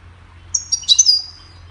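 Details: Goldfinch song for training songbirds: a few separate high chirps, then a short buzzy, tinkling trill that trails off, heard against a faint low hum.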